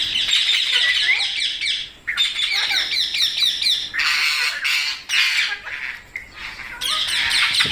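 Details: Parrot giving dense bursts of harsh, high squawks with short chattering notes, in rapid overlapping runs separated by brief pauses.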